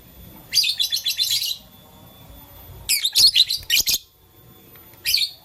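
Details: A blue, lutino and green lovebird at play with a flower makes rapid trilled chirps: a fast stuttering run of shrill notes, a second choppy burst, then a single short squeak at the end.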